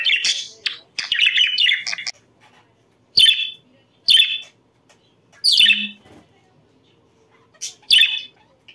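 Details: Budgerigars, heard to stimulate breeding, give an opening run of chattering warble followed by isolated sharp chirps spaced about a second or two apart in a quiet room.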